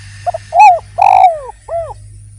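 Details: Short burst of spotted dove song meant to lure others: soft stutter, a rising coo, a longer drawn-out rasping coo sliding down, then a gentle arched note over a low steady hum.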